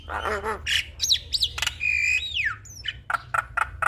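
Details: Lively Javan myna song meant for other mynas to imitate: nasal harmonic notes, quick upswept whistles, a sustained whistle curving downward, then a string of sharp clipped chips, with a constant low hum beneath.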